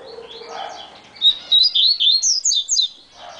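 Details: Yellow-bellied seedeater (Sporophila nigricollis), known as coleiro baiano, sings a very fast run of about eight high, slurred twittering notes over two seconds, with faint low background hum.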